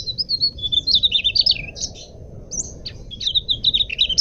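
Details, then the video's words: Mugimaki flycatcher song intended as lure or master audio for cage birds: a fast stream of high, wavering, twittered notes, a brief pause, then more quick squeaky phrases and sharp chips, over low steady hiss. "suara burung sikatan mugimaki buat pancingan atau masteran jernih"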